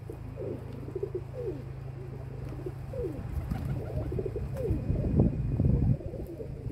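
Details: Domestic pigeons uttering short, low, downward-sliding coos in quick succession over a constant mechanical hum, ending with louder thumping noises.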